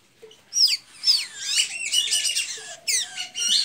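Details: Sharp, high slurred squeaks and a buzzy tangle of thin notes from a blue-gray tanager in Santa Inês, Maranhão, Brazil.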